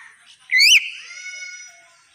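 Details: A talking common hill myna gives one loud, rich whistle that swoops upward, then a long thin tone that slowly fades away.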